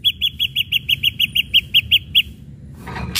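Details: Ashy drongo singing to stir other birds into song: a steady series of about twelve clear repeated notes, about four per second, ending in a soft rustle.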